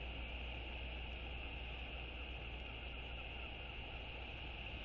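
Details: A steady, heavy engine drone with a broad low rumble and a constant band of higher hiss fills the whole stretch, and no animal calls stand out.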